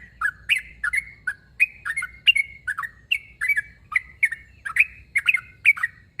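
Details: Challenge calls of a sooty-headed bulbul aimed at a rival, said to make every bulbul nearby answer: lively, repeated chirping phrases of two or three slurred notes, some squawky, coming about twice per second without a break.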